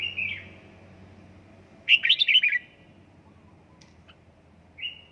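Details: Caged red-whiskered bulbul in home song training, Gia Lai: a short whistled note, then a loud run of five or six quick warbled syllables, followed by a softer clipped whistle near the end, with faint low background hum.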